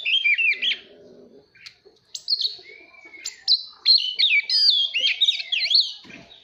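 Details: Oriental magpie-robin in full song, meant to provoke competitive singing and train young birds' voices. Varied loud whistles include a long rising slur, ending in dense, rapid twisting warbles. A brief low buzz sounds early.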